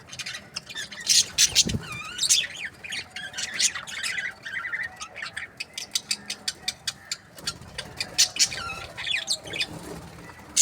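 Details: Breeding pairs of budgerigars chirping together: dense, rapid chatter of high, buzzy chirps and squawks, some rising and falling in quick sweeps, overlapping continuously with short pauses near the middle.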